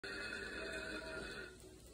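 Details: Umbrella cockatoo, a pet male talking bird, urged to sing at home; holds one steady, slightly nasal sung note for about a second and a half, then trails off.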